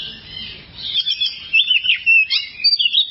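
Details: Oriental magpie-robin tutor recording meant to train cage birds. After a quiet start, a dense stream of high, chattering, warbled notes builds, with short scratchy bursts repeated quickly and unevenly.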